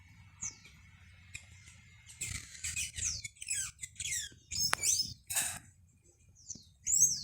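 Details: Blue hummingbird that dominates a home backyard, chasing off other birds and keeping the nectar for itself; high, thin chirps and sharp descending squeaks, given singly and in quick bursts, with a faint low hum beneath.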